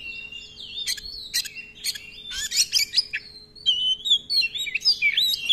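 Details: Oriental magpie-robin delivering a long rolling song: clusters of rapid scratchy notes alternate with clear, warbling whistles, ending in a lively, quickly varied flourish.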